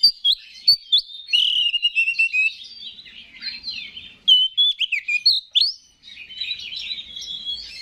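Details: Rich, dense warbling from an Oriental magpie-robin (kacer), a songbird prized by hobbyists, used as a lure to raise other birds' emotion; sweeping up- and down-slurred whistles follow one another with little pause.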